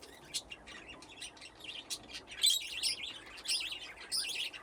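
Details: Several budgies playing in an aviary fitted with nesting boxes; quick high warbling chirps and wavy chattering notes, growing louder in the second half, over faint background hiss.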